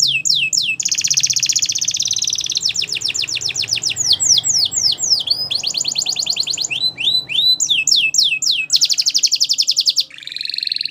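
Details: Belgian canary singing as a training model, a loud continuous run of high phrases: descending whistled sweeps, rapid buzzy trills and rolling repeated notes, changing every second or so.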